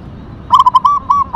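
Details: Perkutut, a local zebra dove with tumbak cucukan katuranggan markings, delivering a quick series of clear cooing notes, the middle ones drawn out and level, sung loudly against quiet background noise.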